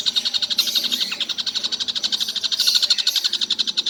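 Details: Nonstop all-day calling from a collared kingfisher: quick, evenly spaced harsh notes about four each second, swelling slightly louder partway through.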